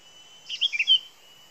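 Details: A sooty-headed bulbul (Pycnonotus aurigaster) gives one brief, bubbly song phrase of four or five quick whistled notes over a steady thin high whine, in a recording used as a lure.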